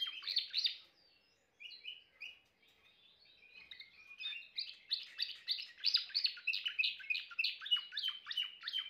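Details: Timbrado canary song starting with loud chirps, a brief quiet break, then soft warbles that swell into a fast, steady series of repeated trilled notes.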